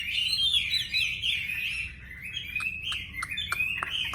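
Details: Wambi bird singing steadily: a stream of warbled, chattering notes with quick rising and falling slurs, later broken by sharp clicking ticks, over a faint low hum.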